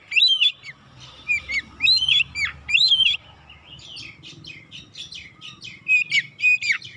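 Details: Oriental magpie-robin lure song to provoke birds: loud whistled phrases with swooping notes at first, then softer scratchy twitters, then louder chirps again, over a steady low hum.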